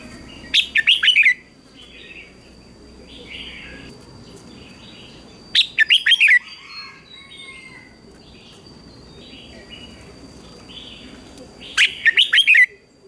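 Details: Morning singing contest of red-whiskered bulbuls: three fast phrases of five or six loud, slurred whistles roughly five seconds apart, softer bird calls chattering in the gaps.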